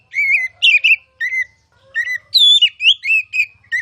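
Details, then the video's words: Oriental magpie-robin masteran song, ngeplong style: loud warbled whistles, one high rising-falling slur near the middle, and quick repeated notes. A faint low hum sits underneath. "KICAU MASTERAN KACER CALON JUARA!!!"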